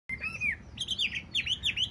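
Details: Caged, tame Chinese hwamei, a large-bodied bird with green eyes, singing: a sliding whistled note followed by quick looping whistled phrases, clear and bright, with faint room noise.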